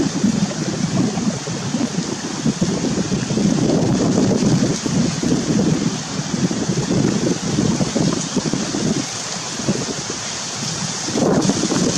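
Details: Steady wind rumble and surf-like rushing noise fill the recording, with no animal voice standing out.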